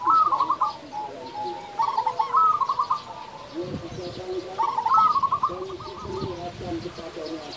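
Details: Local zebra dove, an active singer with a big voice, used as a lure to stir other doves: soft low cooing phrases with a quick trilled stutter at the start, about every two to three seconds, with low thumping noises midway.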